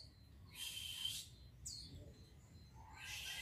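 Oriental magpie-robin giving high, harsh, rasping song bursts, with one quick descending whistle between them, over a faint low background hum.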